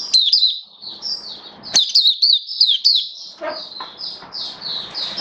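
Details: Oriental white-eye (mata puteh), a V2 bird kept for song, gives high, quick twittering phrases, louder in the middle, then softer repeated slurred notes with background hiss.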